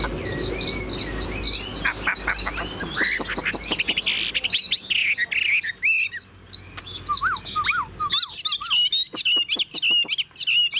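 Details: A caged Chinese hwamei, caught from the wild and about 95% tame, pours out a loud, rich run of varied whistles and slurred notes, then clear up-and-down whistled phrases with sharp clicks; it also fans its tail and displays its wings.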